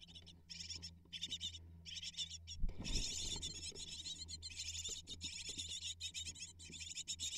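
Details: Eight hungry great tit nestlings being fed prey by their parents: high, rapid, buzzy chattering in bursts that swell into near-continuous begging after a loud rustling thump, with a low background hum.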